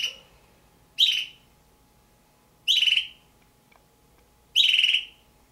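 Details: Two captive juvenile red-billed hornbills, possibly Damaraland subspecies, kept as pets; harsh, buzzy calls with a sharp onset, three clear bursts about two seconds apart, each fading after half a second, over a quiet indoor hum.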